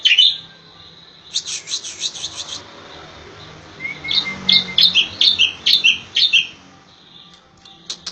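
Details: Striated grassbird of Java and Bali in 'tembakan' song style for training: a sharp chirp, then a dry buzzy rattle. A brief thin whistle leads into a fast series of about eight crisp, repeated chirped phrases.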